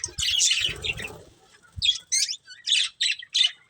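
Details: Colourful budgerigars of a breeding pair warble loudly at first, then give a series of six separate short high chirps about every half second.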